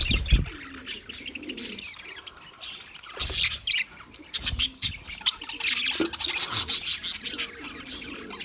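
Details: Busy English budgie aviary sound from February 14, 2024: sharp squawky chirps and rapid warbling phrases in uneven bursts, punctuated by a few low thumps.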